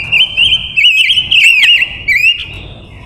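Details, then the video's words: Decoy female silver-eared mesia singing to attract wild males: a loud, unbroken chain of rich warbling whistles, wavering and looping up and down around one pitch, ending in softer fading notes. "Ngũ sắc hót mồi gọi bổi"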